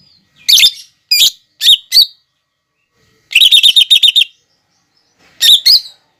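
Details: Masteran of a lesser green leafbird with fighting sparrow, lovebird and hummingbird imitations: sharp separate chips, a rapid buzzy trill, then more squeaky chips in a quiet background.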